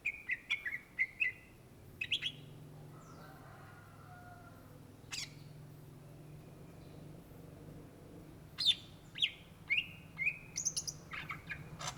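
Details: Greater green leafbird (cucak ijo) in gacor song: a burst of short chirped whistles, a long near-silent stretch with a faint soft tone and a single click, then another run of quick rising and falling whistled notes.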